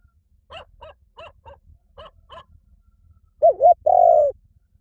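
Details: Faint short chirpy notes come first, then a loud spotted dove coo: a quick wavering double note and a longer level coo.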